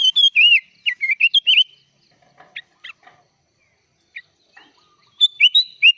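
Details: Sooty-headed bulbul (kutilang) in gacor full isian style, singing with song filled with other birds' phrases: bubbly, slurred whistled notes in quick bursts, a pause with faint scattered chirps, then another burst of rolling whistles.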